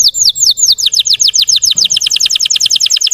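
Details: Russian canary singing as a lure to provoke untrained canaries: a fast run of crisp, downward-slurred high chirps, repeated steadily and speeding into a tight rolling trill over about three seconds.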